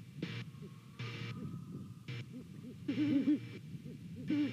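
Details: Pair of great horned owls at a Savannah nest camera, morning of 28 November, exchanging low hoots; short muffled hoots repeat in a loose series, the clearest two near the end, over intermittent hissing noise.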